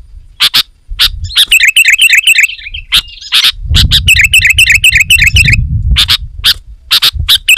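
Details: Sooty-headed bulbul, loud and persistent, played to attract wild birds: rapid runs of bubbling whistled notes are framed by sharp harsh chips, with a steady low rumble underneath in the middle.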